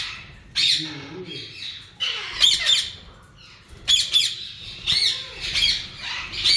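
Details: Breeding pair of yellow ringneck parakeets in breeding season giving shrill, raspy squawks in irregular bursts, loud clusters of harsh screeches separated by short quieter gaps of about a second.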